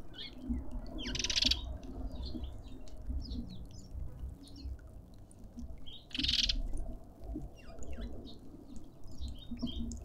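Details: Cut-throat finches fighting for their share at a suburban garden feeder in Pretoria, South Africa, give quick, high chirps throughout, with two sudden rough bursts of scuffling or wing noise and a low background rumble.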